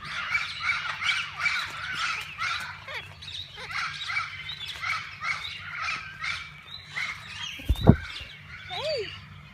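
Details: Many parakeets of different kinds in a walk-in aviary at a parrot zoo where visitors feed and hold them; dense overlapping chirps and twittering, a sharp knock near the end, steady low hum beneath.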